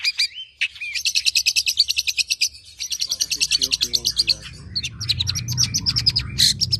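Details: Active long-tailed shrike (pentet) delivering a 'nembak' song of imitated phrases, played to stimulate and teach other birds: a long, even machine-gun series of high buzzy notes, then mixed chirps with rising low rumbling noise in the background.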